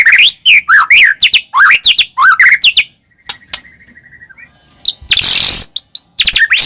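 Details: White-rumped shama song used as a lure to provoke caged birds into singing: loud, varied whistled phrases with sweeping slurred notes, a pause with a thin steady tone, a brief harsh noisy burst, then more bright whistles.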